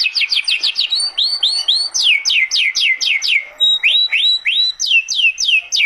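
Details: Canary song for tutoring and luring other canaries: clusters of quick falling whistles, rising slurred notes, one thin steady whistle, and further descending sweeps at about three per second.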